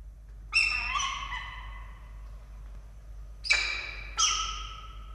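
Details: At a nest in Orange, Australia, 21 August 2023, a male peregrine falcon offers a live starling to the female, who rejects it. Loud, harsh, downward-sliding cries: one pair early, then two more after a quiet gap.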